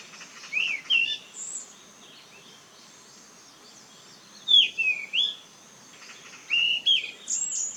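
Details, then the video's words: Yellow-rumped flycatcher on Hallasan, delivering three separated bouts of clear whistled, slurred phrases that rise and fall, with a few high thin notes between them over faint background hiss. "한라산 흰눈썹황금새 울음소리"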